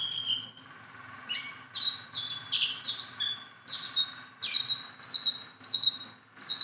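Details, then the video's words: A tame Sunda bulbul that can be played with by hand sings rapid whistled notes at first. It then settles into short, repeated, buzzy-edged phrases, delivered at a fairly steady beat of more than one per second. "BURUNG JONGKANGAN GACOR TELER JINAK PETETAN"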